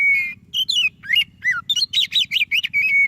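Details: White-rumped shama, white-breasted variety, singing to prompt a quiet shama: rich varied phrases of clear whistles, sharp rising and falling slurs and fast buzzy notes, ending on a long steady whistle.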